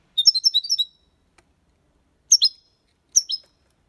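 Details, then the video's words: European goldfinch, Copia Málaga song style, recorded clean as a tutor for young birds: a quick run of about eight high tinkling notes, then two short twittering bursts after a pause. "Cantó de Jilguero (copia malaga ) para Estimular niños pajaros/Chant de Chardonneret élégant"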